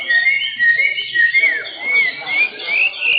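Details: Pied 'blorok' white-rumped shamas, caged, competing in a singing contest at an Indonesian contest arena; loud clear whistled phrases with rising and falling slurs, overlapping songs from several birds, continuous throughout.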